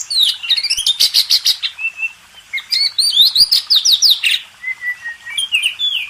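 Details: Oriental magpie-robin master song for training contest birds, with quick rising chirps in a fast series, steady level whistles and bright downslurred notes, clean and free of background noise.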